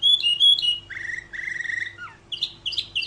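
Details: Atlantic canary (Serinus canaria) training song fragment: a few clear whistled notes, two low buzzy rolling trills, a falling slur and quick chirps.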